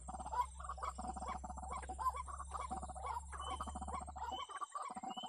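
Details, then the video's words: White-breasted waterhen giving harsh, croaking calls in rapid pulsed bursts, repeating roughly every second or two over a steady low hum, played as a lure to attract waterhens. "Pikat Ruak-Ruak"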